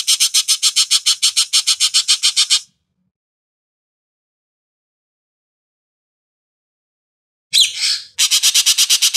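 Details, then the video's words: Ekek Keling on a master training recording: a quick series of harsh, buzzy chattering notes about four per second, a long silence, then a rough squawk leading into another rasping run. "Ekek Keling"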